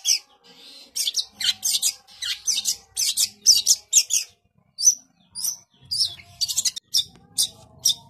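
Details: Long-tailed shrike singing vigorously: a rapid stream of scratchy, raspy high notes mixed with short whistles, a pause of scattered notes, then another dense harsh burst.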